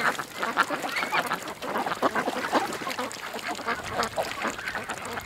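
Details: A group of ducks at a creek making busy, overlapping nasal quacks and chatter, fairly even in loudness, with some higher squeaky notes mixed in.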